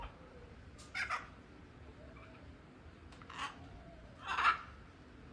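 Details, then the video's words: A free-flying blue-and-yellow macaw gives three harsh, raspy squawks at uneven intervals over a low, steady background hiss. "SOM DE ARARA, ARARA CANINDÉ"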